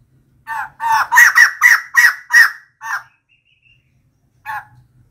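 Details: Decoy calling of a female white-crested laughingthrush: a quick string of about seven loud, grating, laughing notes, then silence and one last rasp.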